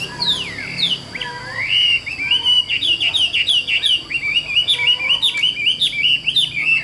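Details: Tame caged Chinese hwamei gives sweeping downslurred whistles followed by a lively run of short, choppy warbled notes, over a constant high-pitched hum.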